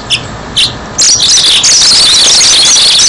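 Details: Yellow-fronted canary song used for luring birds: two faint isolated chirps, then a sudden continuous stream of dense, high, sparkling warbling over a steady background hiss.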